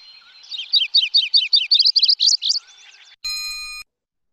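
Wilson's Warbler song: a rapid, chattering series of about a dozen high chips, speeding slightly toward the end, followed by a brief steady electronic tone.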